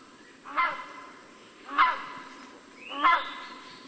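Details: Rhinoceros hornbill calling: three loud, nasal honks about 1.2 seconds apart, each a short harmonic burst with a slight upward sweep on the last, over a steady faint background hiss.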